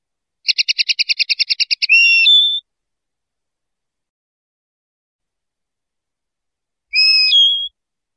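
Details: Common linnet song opening with a rapid, even trill of a dozen clipped notes that runs into drawn-out whistled slurs, followed by a lone whistled phrase after a long silence.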